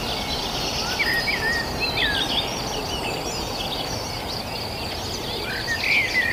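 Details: Birds chirping in the countryside near a village: several short whistled notes and rising-falling chirps scattered at irregular intervals over a steady, loud background hiss and low rumble.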